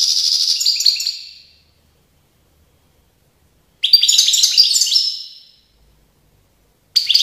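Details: Goldfinch song recorded in Tiaret, 2019: bursts of fast, jangling high twitters and short trills, each about one and a half seconds long and separated by pauses of roughly two seconds. A third phrase starts at the end. No other sounds.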